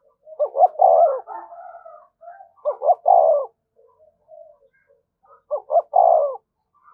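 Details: Cooing used as a lure, a spotted dove repeats its thúc gù phrase three times: stuttering double notes then a deep drawn-out coo, with quieter soft notes filling the gaps.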